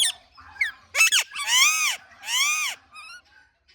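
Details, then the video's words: Indian ringneck parrot calling naturally with loud, harsh, arched screeches rich in overtones: a short double note, then two long drawn-out calls, ending in thin fading chirps. "Indian Ringneck Parrot Natural Chirping Sounds"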